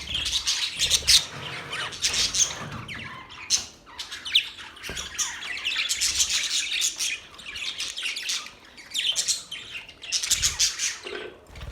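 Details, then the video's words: Parrot chirping, a dense, continuous chatter of high, scratchy chirps and short squawks that surges in bursts around one, six and ten seconds, with overlapping calls and no quiet gaps. "Parrot Relaxing | Parrot sound | Parrot chirping sounds | Parrot voice | Parrot Talking voice"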